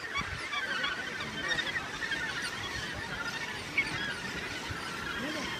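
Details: Gannets at the Muriwai colony, the world's northernmost mainland gannet colony on Auckland's wild, rugged West Coast; a dense chorus of harsh, overlapping honking calls runs throughout, over a steady wash of wind or surf.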